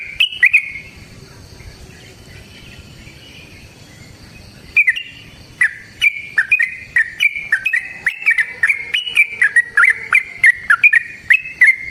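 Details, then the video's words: Yellow-vented bulbul fighting song, long and rapid, played as a lure to make other bulbuls sing: a brief phrase, then a quiet gap, then a dense stream of chattering, warbled whistles with sharp clicks. "Suara Burung TRUCUKAN gacor TARUNG ROPEL PANJANG pancingan trucukan agar JADI trucuk gacor EMOSI"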